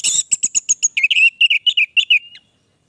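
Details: Vigorously singing ('gacor') orange-headed thrush delivering a long sequence: clicky high chips at first, then a rhythmic string of sweet slurred whistles, roughly five per second, trailing off into silence.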